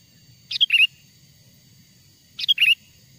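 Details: Sooty-headed bulbul, original wild song used as a lure for wild bulbuls: two loud, rollicking phrases about two seconds apart, each a quick triplet of bright, bouncy whistled notes, with soft low background noise.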